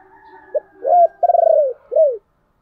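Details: Caged-style lure song of a spotted dove meant to draw wild doves: a short note, a coo, a fast stuttering rolled phrase, and a final arched coo over a faint hum.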